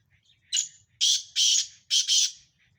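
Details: One full phrase from Sindhi black francolins in a calling contest of five birds: a short thin whistle, then two long harsh buzzy notes and a rapid grating double note, loud and high-pitched, with faint background hum.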